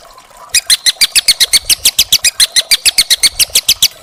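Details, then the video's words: Young wild white-rumped shama in a master recording for training caged birds, giving a steady, fast series of about thirty dry, high, clicking notes over faint background hiss. "masteran burung murai batu muda hutan"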